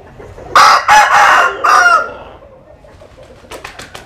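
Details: Rooster from Vietnam's Mekong Delta region, basking in the sun and giving one loud, harsh crow of about one and a half seconds in three stressed bursts, then faint clicking sounds.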